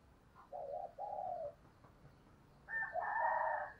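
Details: Spotted dove decoy calling to attract doves. Two even, moderate coos come first, then after a pause a louder, fuller coo phrase over steady background hiss.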